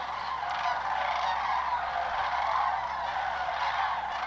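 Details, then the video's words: Many sandhill cranes in flight on autumn migration southward across Georgia and Tennessee, swirling close and low; loud overlapping honking, rolling calls from the whole flock, a continuous dense chorus. "Sandhill Crane Migration song"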